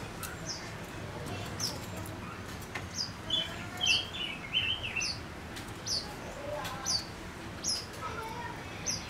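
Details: Male Gouldian finch used as a lure bird gives scattered thin, high chirps and a brief run of warbled notes in the middle. Low background hum runs throughout.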